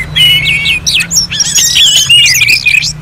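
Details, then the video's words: Orange-headed thrush song in the manner of a bird-contest simulation: clear level whistles at first, then dense, tumbling, looping phrases with high slides, over a steady low hum. "KICAUAN ANIS MERAH"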